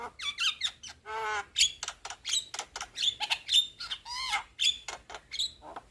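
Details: Young Javan myna in song, a lively jumble of harsh rasps, nasal squawks, a low buzzy rattle and brief high whistles delivered in quick succession.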